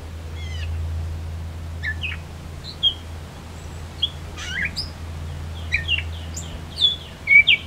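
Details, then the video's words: Summer solstice 2024 song of a Gray Catbird in Beverly Swamp near Flamborough, Ontario, Canada: a halting string of varied short chirps, slurs and squeaks, growing louder and busier toward the end, above a steady low drone. "Gray Catbird"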